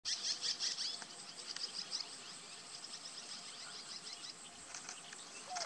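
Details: Many scissor-tailed kites coming to roost on Kousmar Island, Senegal, in January 2023, make a dense chorus of thin, high squeaky chips and twitters, overlapping at about three notes a second, over steady outdoor hiss.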